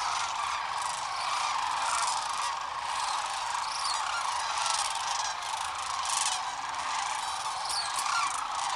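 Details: Sandhill crane flock lifting off in the morning at Rowe Sanctuary on the Platte River, Nebraska, filmed with a point-and-shoot camera: a sustained clamor of many rolling crane calls blending into a dense roar.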